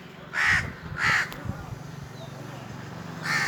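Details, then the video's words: Indian crows calling atop a tree in hot summer weather: two loud rasping caws, a short sharp click, a lull with low rumbling background, then another caw beginning. "Indian Crows cawing"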